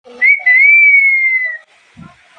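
A parrot gives one long, pure whistle lasting over a second, rising slightly and then sliding slowly down, followed by a soft low thump.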